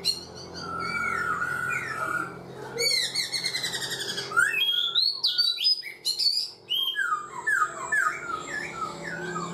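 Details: Caged black-throated laughingthrush of four months delivers long varied song: wavering whistles, rapid buzzy trills and bright upslurred notes tumbling together with brief gaps.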